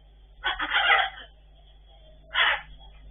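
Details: Blue-and-yellow macaw (Ara ararauna), talking: a harsh, breathy, rasping utterance lasting almost a second, then a shorter hoarse burst about a second and a half later.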